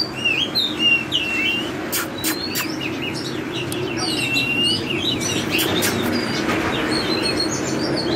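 An Oriental magpie-robin pours out quick, varied whistles and slurred phrases mixed with sharp clicking notes, over a steady low rumble.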